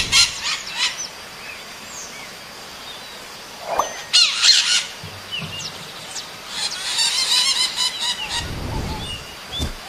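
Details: Maritaca parakeet calling to another; harsh, scratchy high squawks in short bursts near the start, at four seconds and in a longer run from about six and a half to eight seconds, with background hiss.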